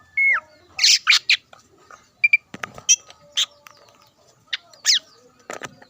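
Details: Greater green leafbird in lively song meant to provoke rival leafbirds into singing: a whistled note sliding down, then scattered harsh buzzy bursts and sharp chips with quiet pauses between.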